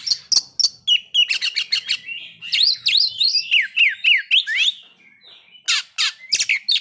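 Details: White-rumped shama song for triggering breeding condition and aggression: sharp high clicks, then a fast series of loud downslurred whistles repeated about three per second, a short quiet gap, and more bright chips.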